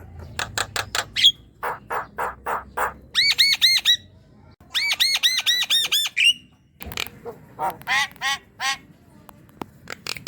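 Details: Javan myna singing, meant to prompt a young myna that stays quiet: sharp clicking pulses, then two bursts of quick repeated arched whistles, followed by more harsh staccato notes and short buzzes.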